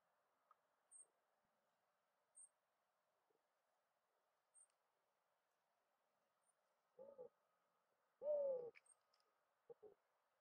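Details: Mourning dove giving low, hollow cooing notes late in the recording: a short soft coo, then a loud drawn-out rising-and-falling woo, then another brief coo, after long quiet stretches with faint high ticks.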